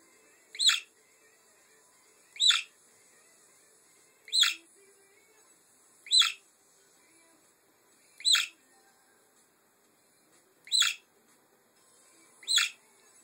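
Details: A pet free-flying budgerigar, a female named Harrietta who lives in a bedroom, gives short, sharp chirps about every two seconds.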